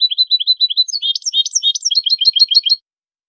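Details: European goldfinch song used for training captive birds, recorded in high quality: a rapid, clean run of bright twittering notes, buzzy trills and short liquid phrases, repeated quickly for nearly three seconds, then silence.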